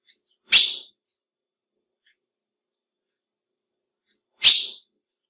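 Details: Two crisp, high, quickly fading chips about four seconds apart from a female ultramarine grosbeak, a call meant to excite males; otherwise quiet.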